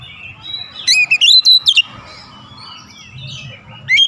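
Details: Oriental magpie-robin singing to stir other birds: one short burst of loud, sweeping whistled notes, then quiet with low background rumble and a final brief chirp.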